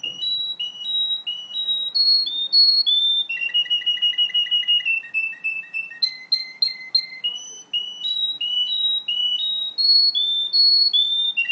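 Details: Russian canary in full song: rapid repeated trills of clipped notes, stepping up and down in pitch, shifting to lower rattling rolls in the middle before returning to bright high trills, continuous and loud.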